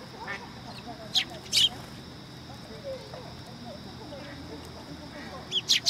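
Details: A sparrow, described as a newcomer, at Tenmangu shrine on 12 September 2022. It gives short, sharp, high chirps, a pair near the start and a quick burst of three at the end, over a low murmur of people's voices.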